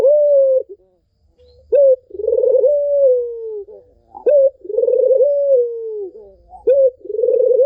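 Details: Melodious coo of a Barbary dove, meant to prompt a non-singing dove to start calling. A sharp short note introduces each phrase, then a vibrating, rolling coo stretches into a smooth, sustained low tone. Three phrases in steady sequence.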